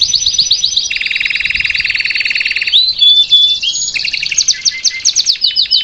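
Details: Salsa canary song meant to teach a young bird: high trilled notes over a long low rolling buzz, followed by varied whistled and chipped phrases.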